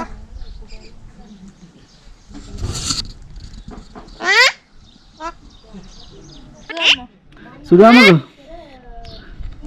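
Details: Talking parrot met in Nuwara Eliya, Sri Lanka, first noticed by its voice saying "chooti chooti"; three short, loud, strained harmonic bursts come at uneven intervals, with quiet murmuring background between them.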